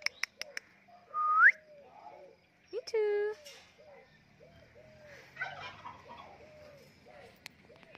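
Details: Pet parrot known for talking: a rising whistle, then a loud nasal squawk rich in overtones, then a string of short soft wavering notes repeated about once a second, with scattered clicks.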